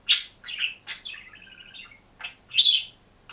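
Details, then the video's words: Caged green budgerigar, alone, chirping and singing: sharp chirps framing a brief buzzy, trilled warble, ending in a loud, bright chirp. "МИЛЫЙ И ЗАБАВНЫЙ ПОПУГАЙ ПОЕТ И ЧИРИКАЕТ/ОДИН В КЛЕТКЕ/зеленый попугайчик"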